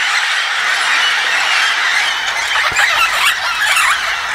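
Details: Red-tailed amazons (Amazona brasiliensis) arriving as a flock at Rio Castro, Itanhaém, São Paulo, Brazil; loud overlapping harsh squawks and screeches from many birds, with a dense hiss of calls throughout and a sharp click near the middle.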